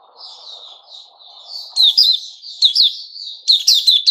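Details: White-rumped shama, 29 August 2021, opening with soft warbled whistles over a low hum, then breaking into loud, sharp chipping phrases repeated several times.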